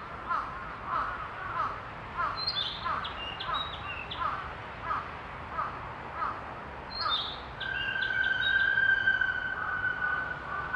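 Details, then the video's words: Narcissus flycatcher in Oyama, Tochigi, Japan: bright, high whistled phrases in two short bursts, over a steady run of lower repeated notes, about three a second, and a long sustained tone. "キビタキ 声"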